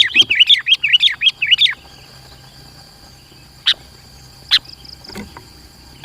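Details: Sooty-headed bulbul (kutilang) singing a dense gacor song, used as a lure for trapping and for tutoring other bulbuls: a quick burst of bubbly, wavering whistled notes, then silence with a few sharp clicks and a steady high hum.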